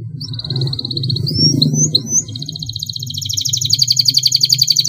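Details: Canary in full song, a long rolling song used as a training master to lure other canaries: clear whistled notes and quick upward sweeps open into a long, fast, buzzy rolling trill, over a steady low hum.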